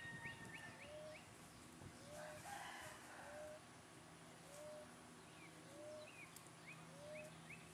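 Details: A BBRED hen and a male Phoenix chicken give soft, rising, mid-pitched notes about every second, with a few thin higher chirps, over a steady low mechanical hum.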